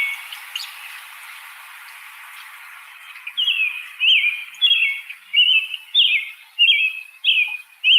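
American Robin singing a string of clear, warbled phrases that rise and fall, about one every half second to second, after a few seconds of faint background.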